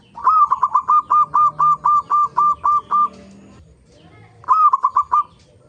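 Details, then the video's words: Lure song of a local zebra dove meant to prompt other zebra doves to sing: a long run of about eleven quick, evenly spaced coo notes, a pause, then a shorter burst of notes. "pancingan perkutut lokal gacor AMPUH pandai BIKIN semua BURUNG PERKUTUT GACOR RAJIN BUNYI"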